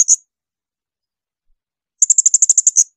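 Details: Blue-crowned hanging parrot, a tutor recording of shrill bursts for training songbirds: a brief high note, silence, then one fast burst of about ten sharp, piercing pulses.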